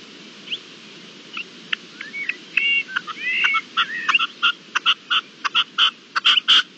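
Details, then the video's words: Red-legged partridge on 25-04-21: soft whistled and slurred notes at first, then a quickening series of harsh clipped bursts, growing louder and coming in pairs toward the end. "Perdiz (Reclamo al final del vídeo)"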